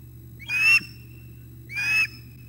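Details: Osprey at its nest at dawn, 06:25 on 9 August 2021, during a breakfast delivery by the male that a chick grabs; two rising whistled notes with a rough edge, about a second apart, above constant low background hum.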